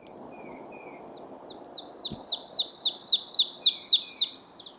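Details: A singing Ovenbird at Mount Auburn Cemetery, Cambridge, Massachusetts, in May during spring migration: a rapid series of sharp, two-note chirps growing steadily louder over a few seconds, with faint background hiss.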